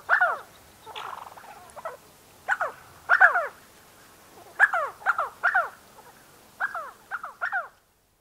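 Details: Black-bellied sandgrouse giving about a dozen short, throaty, downward-sliding notes in clusters of two or three, with a rougher grating phrase near the start; the recording also includes calls and wingbeats of spotted sandgrouse.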